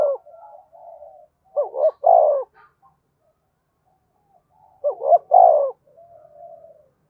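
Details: Spotted dove calling to provoke wild doves into fighting: two loud three-note cooing phrases about three seconds apart, each with two short rising coos and a longer drawn-out coo, with soft murmured notes between them.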